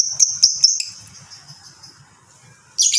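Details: Fighter lovebird with long 'ngekek' chatter: three sharp high chirps lead into a sustained thin ringing trill that fades, then a sudden harsh, shrill burst at the end.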